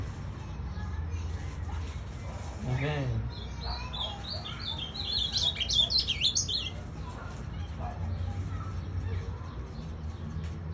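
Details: Pet ultramarine grosbeak delivering its pelado song: a brief lower sound, then a dense run of bright, quickly warbled high notes midway, over constant low background noise.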